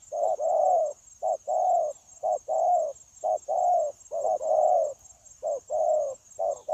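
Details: Spotted dove decoy bird used for trapping, filmed 9/1/2024, delivering a continuous run of soft, deep coos, short and long notes alternating in rhythmic sequences roughly every second over a quiet background.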